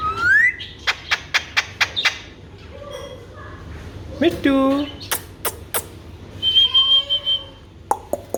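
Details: Alexandrine parakeet, a pet talking parrot, mixing a rising whistle, rapid clicks and short voiced, speech-like bursts with a held high whistled note, over a low steady hum.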